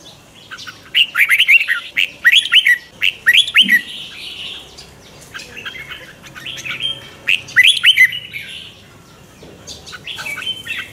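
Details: Red-whiskered bulbul in morning singing training with a twisted, rolling voice used as a lure bird: quick strings of bright, slurred whistles in several bursts, separated by quieter gaps with faint background noise.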